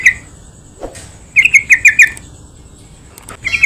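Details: Yellow-vented bulbul song for luring other bulbuls into singing: a brief note, a lone low chirp, then a phrase of five rapid bubbly notes and a new phrase starting at the end.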